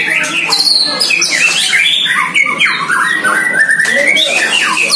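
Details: One-year-old White-rumped shama in a cage, first time matched against a neighbouring shama: bright whistled phrases with rising and falling slurs, repeated fast, the two birds singing over each other.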